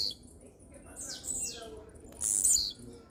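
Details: Steady song of a blue-black grassquit. Two high, sharp buzzy notes each slide down in pitch, one about a second in and another near two and a quarter seconds, with soft low rumble underneath.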